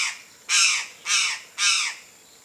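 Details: Free-living Chestnut-eared Aracari (Pteroglossus castanotis) in Brazil gives three harsh, raspy, high-pitched notes, each under half a second, repeated about every half second against quiet background.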